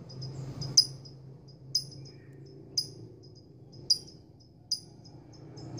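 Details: A courting female lovebird directs calls at a male: five loud, piercing, high chirps about once per second, interspersed with softer quick squeaks, over a low steady hum.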